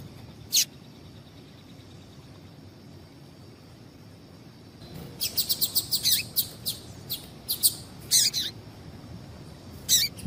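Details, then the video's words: Female double-collared seedeater calls, used to excite males before singing contests: a lone high chirp, then after a pause a rapid run of clipped, bright chirps and twittering notes, ending with one more isolated chirp; low hiss throughout. "Piado de Fêmea de Papa capim esquentar"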